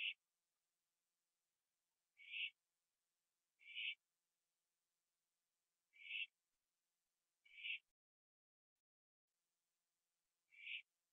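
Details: Owl at night, 11:15 PM on 21 September 2011, finishing a gopher on a porch before flying to join another owl in a tree: six short, hoarse, hissing screeches, each about a third of a second, spaced roughly one to three seconds apart, in near silence.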